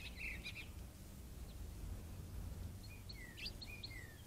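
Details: House finches at a bird bath on the morning of March 22, 2022 give short, bright chirps and quick falling notes in two loose bursts, over a steady low rumble.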